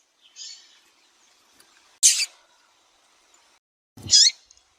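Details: Female rusty-collared seedeater calling intensely to stimulate a male, as used by breeders in Brazil: three short, sharp, high chipping notes spaced about two seconds apart, the later ones louder, in silence.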